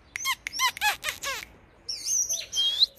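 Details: Oriental magpie-robin serving as a lure for fighting birds, giving five quick, rich, harmonic notes that drop in pitch, then after a pause some high, thin, wavering whistles.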